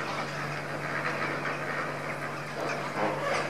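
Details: Lesser flamingos feeding indoors: a dense, continuous murmur of many birds with overlapping nasal, goose-like chatter, over a steady low mechanical hum.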